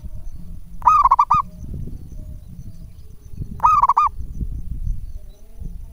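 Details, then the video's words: Local zebra dove calling to lure other doves into responding: two stuttering, rolling coo phrases, each about half a second of rapid pulsed notes, spaced about three seconds apart over a steady low rumble. "perkutut lokal gacor buat pancingan 99,9% cepat direspon perkutut manapun"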